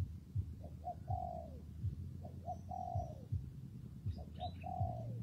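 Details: In rainy, windy weather a spotted dove repeats its phrase: small quick notes leading into a long, mellow coo that slides down at the end, about every two seconds. A low, buzzing hum runs continuously.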